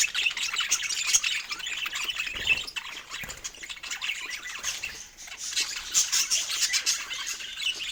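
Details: Budgerigars eating fruit chatter in rough, scratchy chirps and occasional sharp squeaks, a little quieter, with a slight dip just past five seconds.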